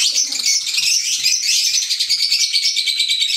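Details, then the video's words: Green Fischer's lovebirds, kept as pets, produce continuous overlapping high chirps and squeaks, a dense shrill twitter with a slight pulsing rhythm throughout. "Fisher Love Birds Sound | African Lovebirds | Green Fisher Love birds Voice"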